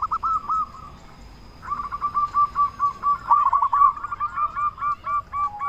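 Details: Local zebra dove with a strong, frequent song, played to stir other doves to respond: a short cooing phrase, then a long steady string of quick repeated notes that grows louder and choppier.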